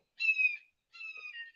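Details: Red-tailed Hawk gives two hoarse, high, slightly falling screams, each about half a second, with a short pause between. The observer suspects it is a female but can't tell.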